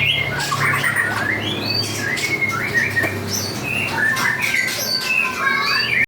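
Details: 'Panda' type white-rumped shama in active song gives scattered whistles, short chirps and quick slurred notes, separated by brief gaps, over a steady low hum.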